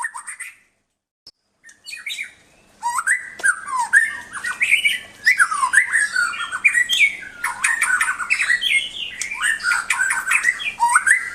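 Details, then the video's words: White-rumped shama song played as a tutor for pet songbirds: after a few brief opening notes and a short gap, a long, dense, energetic stream of varied whistles, harsh squawky notes and rapid chattering phrases, continuous without pause. "Suara Burung Murai Batu"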